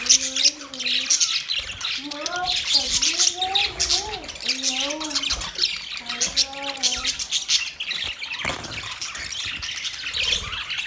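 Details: Budgies keep up a steady, rasping twitter, while repeated low warbled phrases rise and dip about every second through the first seven seconds before the chatter continues alone.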